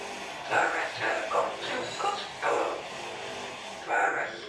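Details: An Amazon parrot able to say 40 phrases and sing repeats the same short spoken phrase four times at steady intervals, each a brief run of human-like syllables in a quiet room.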